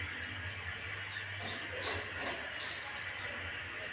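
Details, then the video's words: White-eye used as a lure to prompt other birds to sing: a series of short, high, thin chirps repeated about every third of a second over a steady background hiss. "Pancing suara burung kaca mata Bustomi"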